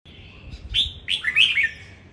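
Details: Red-whiskered bulbul kept as an ornamental bird, singing in a song contest: a brief bright phrase opening on a level whistle, then quick rising and falling warbled notes, over low rumbling background noise.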